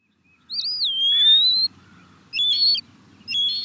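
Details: European starling giving a long slurred whistle that dips and then slowly rises, followed by two shorter bright warbled whistles, over a low background rumble.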